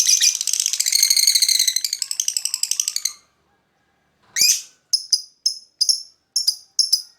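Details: Lovebird master bait song: a dense, buzzy chattering trill for three seconds, a pause, then a run of separate high, sharp chips.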